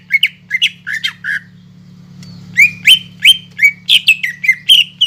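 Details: Greater green leafbird in full song, played as a lure to rouse silent, reluctant caged leafbirds into singing: bursts of sharp, rising chirped and squawky notes in quick succession, a brief pause, then a brighter run of upswept notes over a steady low hum.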